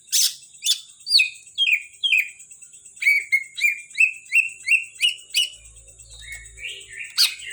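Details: Kalimantan greater green leafbird in a cage singing a long string of evenly spaced downslurred whistles, about two per second, dropping and then steadying in pitch, ending with softer notes and a brief low thump.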